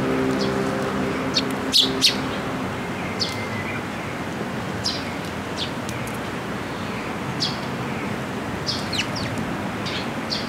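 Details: Fledgling Eurasian tree sparrows begging as they come to a post to be fed at a Tenmangu shrine, 28 May 2022; short bright chirps scattered irregularly, in bursts, above constant road traffic noise.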